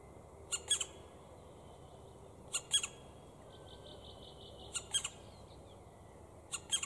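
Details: Black woodpeckers (Dryocopus martius), adults with young, Grycksbo, Dalarna, Sweden, 5 June 2019: harsh, high squawking calls in clusters of two or three about every two seconds, with faint thin piping between.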